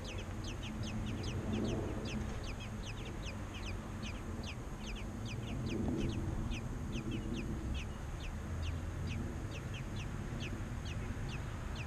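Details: American robin chicks begging as parents feed them: a long, very even train of short, high, falling chirps repeated several times a second, with a low rumble and faint swells of lower sound.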